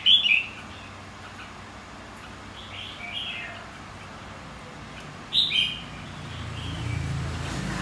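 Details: Red-whiskered bulbul of the white-cheeked type in contest singing: a loud warbled phrase opens, softer fluty notes follow near three seconds, then another sharp burst at five seconds, with a low rumble creeping in at the end.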